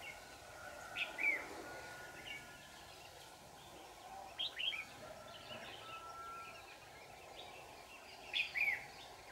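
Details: Red-whiskered bulbul at a trapping site, in full display form, 4 January 2018; three brief, quick, whistled phrases spaced a few seconds apart, each a rapid up-and-down flourish, over a constant low hum and faint background.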